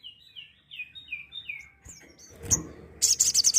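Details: Crimson sunbird singing: a series of five thin, high, downslurred whistles, then scattered sharp notes leading into the start of a rapid high trill, the 'tembakan' burst.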